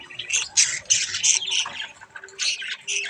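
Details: Baby budgerigars playing with a mirror give dense, overlapping squawky chatter, harsh high bursts packed closely together with brief dips between them, running throughout.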